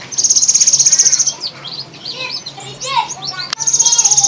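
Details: Kept Javan sparrow calling in the afternoon with its odd 'trrrr' sound: a rapid high buzzy trill of about fifteen clicks per second, then a burst of varied squeaky chirps and whistles, and the trill again at the end.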